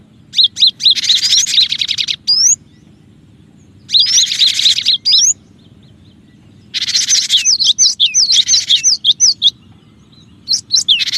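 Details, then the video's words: Lure recording of a cinereous tit meant to attract other birds. Three bouts of harsh, rasping chatter mixed with sharp, high, swooping whistles, separated by quiet gaps of about a second. "suara pikat Burung gelatik batu gacor dan cocok juga buat pancingan gelatik batu yg susah bunyi"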